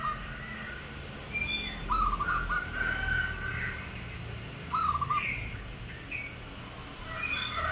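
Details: Albino sooty-headed bulbul with white plumage and red eyes, a rare bird; two short bubbly warbled phrases around two and five seconds, set against steady background hiss and scattered faint high chirps.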